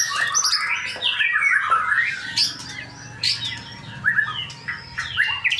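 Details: A male white-rumped shama gives a loud, continuous song of fluty whistles and quick twittering phrases, rising and falling notes packed closely together, with a faint low hum beneath.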